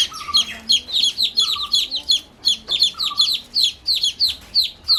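Newly hatched chicks peep constantly, a crowd of high, shrill, downward-sliding cheeps overlapping about three times a second, with a faint lower tone now and then.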